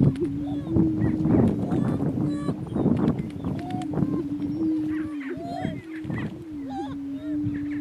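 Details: Male greater prairie chickens fighting for dominance on a northeast Kansas lek; a continuous low droning hum runs under heavy low rumbling scuffle noise, with a few brief upward whoops and cackles.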